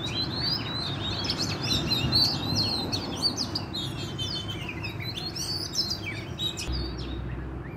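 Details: Wild-caught Oriental magpie-robin singing vigorously: rapid, varied run of sweet whistles and chattering notes, high-pitched and almost continuous, over a steady low rumble.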